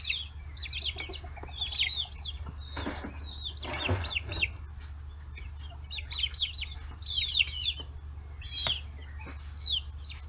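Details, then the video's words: Free-range chicken chicks, 40 days old, crowding around fish heads at a small farm in Kitahiroshima, Hiroshima, Japan; bright downslurred peeping chirps come in quick clusters, with a few scattered clucks over a steady low hum. "chicks chirping sounds"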